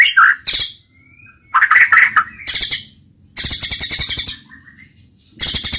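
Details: White-rumped shama singing in 'roll tembak' style, with loud buzzy rattle bursts alternating with short clusters of rich whistled warbles and quiet gaps between phrases.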